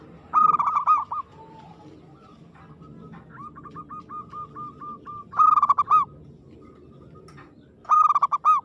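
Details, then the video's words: Aggressive singing of a local zebra dove: loud bubbling coo bursts recurring every few seconds, with a long even series of softer clipped notes in between. "suara perkutut gacor agresif mental baja"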